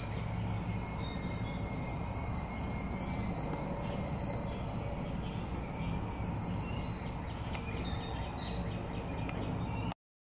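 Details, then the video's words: Two or more Killdeer in a duet or possibly a trio on February 23, 2018, giving shrill, high, rapid trilling notes almost without pause over a steady low background rumble. "Killdeer duet or possibly a trio"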